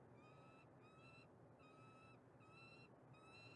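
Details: Female peregrine falcon, Montreal, Canada: drawn-out, nasal, harmonic notes repeated roughly every second, level to slightly rising in pitch, with constant low background rumble beneath.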